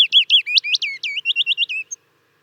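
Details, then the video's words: Willow warbler song, a pleasant warble: about fifteen quick sweet notes in a steady run lasting two seconds, gradually sliding lower in pitch. "Willow Warbler - Songs"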